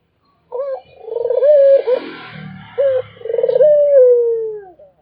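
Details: Barbary dove cooing continuously, giving two phrases. Each pairs a brief rising-falling note with a long tremulous coo that evens out and glides down. Some low background noise between phrases.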